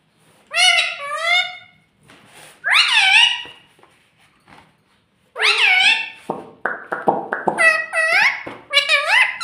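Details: Talking parrot kept as a pet indoors, said to say "mummy" and "mittu"; high, reedy word-like phrases with wavering pitch, a long pause, then a faster string of squeaky syllables and clicks.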